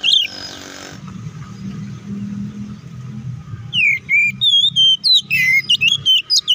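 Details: White-rumped shama fighting song used as a provocation for rival shamas: brief whistle, then several seconds of low hum and background noise, followed by a burst of clear, rapidly repeated whistled and slurred notes.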